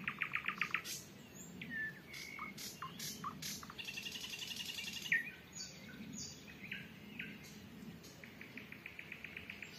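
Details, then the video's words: Nightingales in early June 2023 in the Volga region of rural Russia, three birds calling back and forth at sunset in dead calm; rapid runs of repeated dry pulses, short whistles and harsh buzzy bursts. "СОЛОВЬИНЫЕ ТРЕЛИ"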